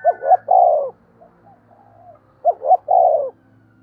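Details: Cooing of a spotted dove, played to stimulate other doves to coo: two matching phrases about two and a half seconds apart, each a quick double note then a long burry descending coo, with low hum beneath.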